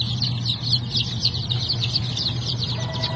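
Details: Japanese bantam chickens chirp in a dense, overlapping chorus of quick high peeps, about four a second, set against a persistent low hum.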